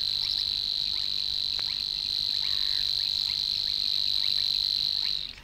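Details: Savi's Warbler song from the Matsalu reed beds, a continuous insect-like buzzing trill on a level high note that runs on and then stops abruptly near the end, with a few soft bird notes in the background.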